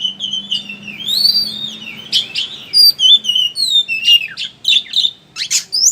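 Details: Ngeriwik-style kacer, the oriental magpie-robin, used as a lure to get birds singing: clear whistled slurs drifting up and down, interrupted by harsh buzzy bursts and sharp chirps, over a faint low hum.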